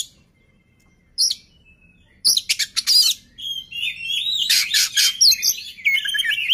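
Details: Oriental magpie-robin singing to get other birds going: a sparse opening note, then a dense, loud stream of harsh chirps, buzzes and whistled phrases over low background hum.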